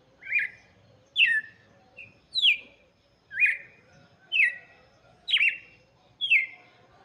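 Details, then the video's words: A steady series of seven downward-slurred whistles from a red-cowled cardinal, about one each second, sung for chicks over near silence. "cantoria de galo de campina para Filhotes - canto do galo de campina"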